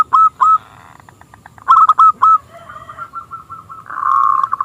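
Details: Local zebra dove with a small, clear voice, used to draw rival doves into singing: scattered short bursts of bright hooting notes, then a softer run of quick repeated notes and a brief buzzy swell near the end.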